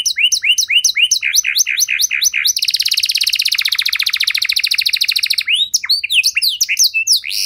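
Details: Canary singing to get other canaries singing: repeated downward-swept notes, then a long fast rolling trill, ending in mixed sharp chirps.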